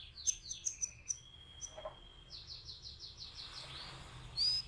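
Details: Canary song: rapid high chirps and sweeping notes, then a sustained whistled trill and a run of repeated rising-falling syllables, ending in a sharp high note; faint background hum.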